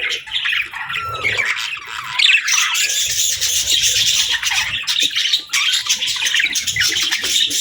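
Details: Budgerigar singing and chirping: a dense, continuous warble of scratchy chatter, squawks and short chirps that runs unbroken throughout, steady and lively.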